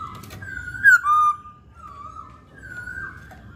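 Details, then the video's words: Masked laughingthrush giving a sharp loud whistle followed by a sustained clear note, then several softer, level drawn-out whistles, with low rumbling in the background. "Poksay Hongkong Gacor"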